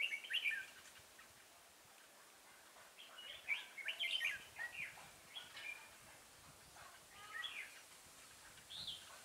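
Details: Decoy red-whiskered bulbul, a captive bird kept to lure others, singing short bright chirping phrases in bursts with brief pauses, some notes sliding up and down, against quiet outdoor background hiss.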